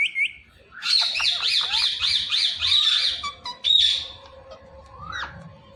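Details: Green Indian ringneck parakeet, kept as a talking pet, lets out a loud, high, rapidly wavering chatter of shrill squawks lasting about three seconds, then a softer rising squeal over faint room noise.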